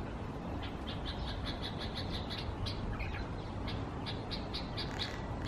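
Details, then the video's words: A bulbul in Israel on 30 August 2016, angered by its mirror reflection, gives quick runs of high, clipped chip notes, repeated several times a second, with short pauses and a hoarser phrase near the middle against constant low rumble. "БУЛЬБУЛЬ СЕРДИТСЯ НА ОТРАЖЕНИЕ В ЗЕРКАЛЕ"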